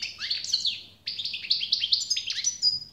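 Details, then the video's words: Goldfinch singing a lively twittering phrase, brief pause, then a rapid series of rising chirps and buzzy notes ending in a thin drawn-out whistle; faint steady hum beneath. "SAKA ÖTÜŞÜ"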